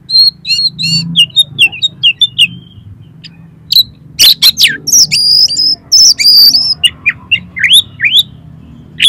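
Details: Lure song of an Oriental magpie-robin, or kacer, meant to make listening birds sing and fan their tails: rapid high whistled phrases and crisp chips, dense after the midpoint, with a few sharp clicking bursts.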